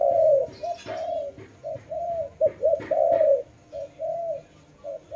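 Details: Dove giving a continuous run of coos: long sustained notes broken by quick doubled short notes, with occasional faint taps in the background.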